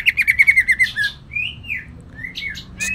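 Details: Green leafbird from Kalimantan singing with shrike (cendet) mimicry: a quick run of about ten bright falling notes, then drawn-out slurred whistles and a closing high flourish.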